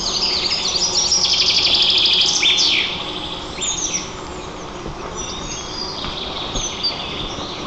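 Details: At a wild nest in Nizhnyaya Kama National Park, Tatarstan, Russia, a white-tailed eagle is heard through the nest camera on 27 June 2024. Fast, high, ringing yelps come in a dense burst at the start, then fade to scattered chirps and short down-slurred notes.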